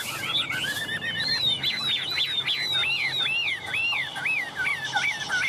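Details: Very tame Chinese hwamei sings while held and teased: rich warbled whistles build into a long series of sharply rising-and-falling chevron notes, repeated about twice a second, loud and fluent.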